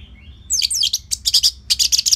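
Orange-headed thrush giving a rapid, high, sweet warble of tumbling whistled notes in quick bursts, preceded by a thin rising whistle.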